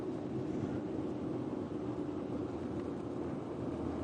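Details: Steady low engine rumble from a vehicle fills the whole recording, with no animal voices standing out.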